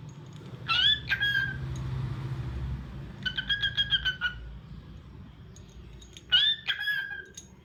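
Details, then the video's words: Cockatiel whistles a rising call, then a string of rapid clipped notes, then another rising whistle, over a rumbling low background noise. "Adorable Cockatiel Crazy Bird 🐦 Cute Sounds n Movements"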